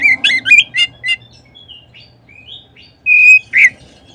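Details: Oriental magpie-robin song used as a lure to make other magpie-robins sing at once: a few clear whistled and chirping notes early, a pause with soft notes, then a loud sustained whistle and a sharp final note.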